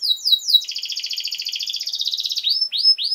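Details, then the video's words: Canary singing as a tutor song for young birds, opening with descending sweeps, then a long fast rattling trill sustained for about two seconds, ending with three rising-falling whistled notes. "Canary Singing!Masteran Kenari Gacor Durasi Panjang 1 Titik Bagus Untuk PAUD Cantante Canario Actual"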